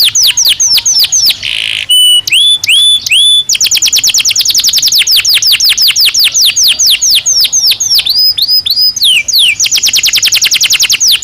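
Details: Belgian canary singing naturally, a fast varied song of rapid descending trills, upswept whistled notes and buzzy rolls, loud and continuous with brief pauses between phrases.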